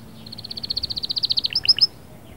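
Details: Canary song meant to excite the female: an accelerating even trill of about twenty short notes, ending in a few sharp higher chirps.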